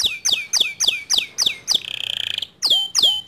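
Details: Male white canary repeating bright down-slurred whistles about four times a second, breaking into a short fast rattling trill, then resuming the swooping notes, in long standard song.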